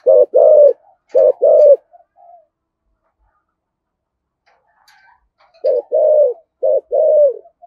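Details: Spotted dove luring coo, deep 'giọng thổ' style of the 'cúc dính' type: two phrases of short and long low hoots separated by several seconds of near silence.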